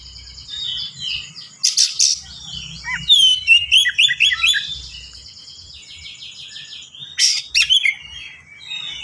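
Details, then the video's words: Caged white-rumped shama singing a busy, fast song: trilled high notes, a sharp rattle, then a cascade of quick looping chirps and whistles, later a buzzy trill and another rattle; faint low hum. "KACER GACOR SPEED RAPAT FULL ISIAN AMPUH UNTUK PANCINGAN BURUNG BAHAN"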